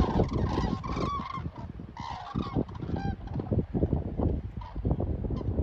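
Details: Common cranes overhead at Hillensberg give loud rolling trumpet calls early on, fading to scattered fainter notes, with continuous wind buffeting.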